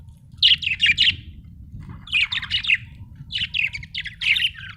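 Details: Budgerigar warbling in three rapid groups of buzzy, rattling chirps, each about a second long, separated by short pauses, with a low steady hum behind.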